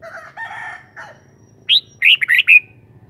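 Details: Captive red-whiskered bulbul delivering a brisk phrase of several bright, warbled whistles ending in a drawn-out falling note, preceded by lower, harsher drawn-out calls from another bird.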